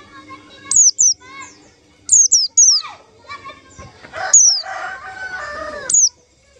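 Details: White-eye lure call for trapping white-eyes: high, thin, downslurred whistles given singly and in quick doublets and triplets. Other lower, harmonic bird calls and rustling noise are mixed in.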